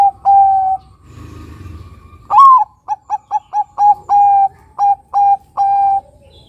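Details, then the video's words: Bangkok-local crossbred perkutut (Zebra dove) sings: a drawn coo, a soft low murmur, then a loud rising coo and a steady run of about ten short coos, several stretched into longer notes. "Perkutut bangkok gacor suara nutut besar panjang penarik bunyi perkutut bangkok lokal crossing"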